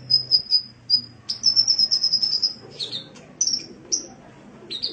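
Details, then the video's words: Sunbird kept as a cage bird, heard on a training recording. High, rapid trilled notes come in short bursts, with a longer rippling run in the middle. The song is broken by a few lower, slurred chips. "Masteran Suara Burung Kolibri"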